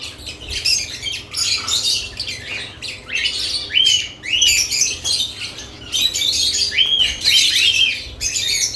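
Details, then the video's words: With nest boxes newly added, lovebirds keep up loud, rapid squeaky chirps and rising notes in dense overlapping bursts, with only short pauses between flurries. "Lovebirds add nest boxes activity & chirping sounds"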